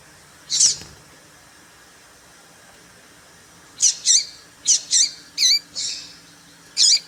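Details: Female papa-capim seedeater calls used to stir up males. One high squeak, a pause of three seconds, then a quick run of six sharp chirps with downward-curling tails, ending with a final squeak.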